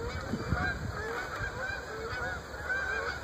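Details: Flocks of Canada geese forming up over the Great Smoky Mountains in early October 2014 on fall migration south honk in a steady, overlapping chorus of nasal two-note calls over a low rumble of wind or traffic.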